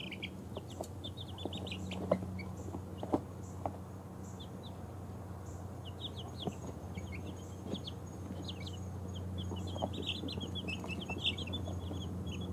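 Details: Two-week-old baby chickens of mixed breeds, including ISA Brown, Barred Rock, Easter Egger, Speckled Sussex and Australorp, falling asleep; soft, scattered high peeps over a steady low hum, dense at times.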